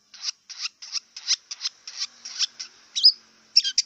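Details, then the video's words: Wild long-tailed shrike giving a run of evenly spaced harsh, buzzy chips about three per second, then a clear upslurred whistle and a quick chattering flourish, with a faint steady high hum behind. "Kicau cendet liar"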